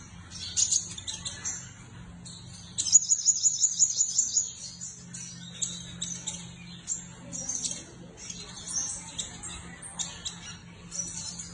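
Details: Sunbird chirping and twittering in a pleasing performance: very high, thin, rapid chips and short trills in bursts, including one fast run of evenly spaced ticking notes, with a low steady hum underneath.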